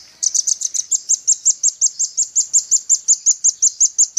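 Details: Rapid, steady rattle of the velvet-fronted nuthatch, recorded as a tutor track for Indonesian bird keepers: about twenty-five sharp, high, evenly spaced chipping notes delivered without a break, clean and loud over a silent background.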